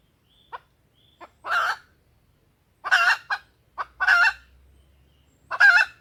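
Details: Hen junglefowl lure call for attracting wild males to crow: soft clucks leading into four loud, rasping squawks spread over six seconds, with a low hum faintly audible in the background.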